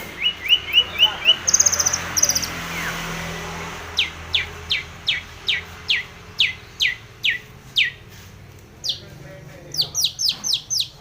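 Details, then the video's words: Long-tailed shrike in full song, played to provoke rival shrikes: a quick run of thin notes, then a long series of sharp down-slurred whistles repeated about twice a second, with brief shrill bursts between. "SUARA cendet gacor MEMANGGIL LAWAN"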